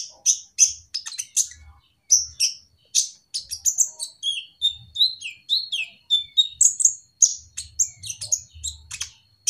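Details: Olive-backed sunbird singing loudly in a flight aviary: quick sharp chirps and downslurred high whistles in a lively, varied series with short gaps, plus faint low thumps.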